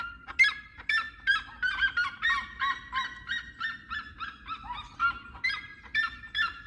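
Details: Seriema calling in a fast run of nasal, yelping notes, roughly two to three each second. The notes overlap in places and dip lower near the middle before returning to the higher yelps.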